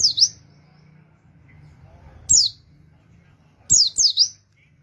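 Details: Oriental white-eye used as a lure to attract wild birds: three short, very high, sharp chirps with long quiet gaps between them, each a quick twittering burst, over a faint low hum.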